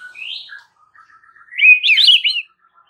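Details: White-rumped shama training song meant to prompt a response: a soft rising whistle, a few quiet low notes, then a loud twisting warble of quick high notes.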